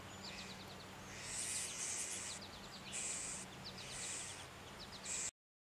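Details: Two song sparrow nestlings in a nest in a Norway Spruce in the Great Smoky Mountains, fed by both parents, beg in very high, hissy, buzzing bursts about once a second over soft chirps and a low hum.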